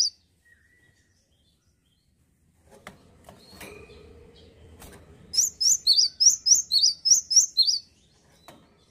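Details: Male cinereous tit, probably kept as a songbird in Indonesia, singing steadily: after a few seconds of quiet shuffling and low thumps, a run of ten bright two-note whistled phrases alternating high and lower, about four per second.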